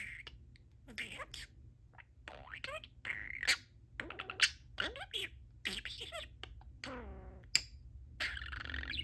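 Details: Pet budgerigar (parakeet) chatting and talking with its owners indoors: buzzy, scratchy chatter with quick clicks and rising chirps, mixed with soft human voices nearby.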